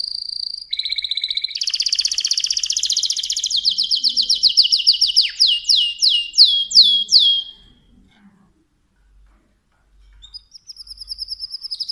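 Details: Mosaic canary singing a varied song: buzzy trill around mid-high pitch, then a fast series of descending whistled sweeps repeated rapidly, a short pause, then a steady high trill resuming.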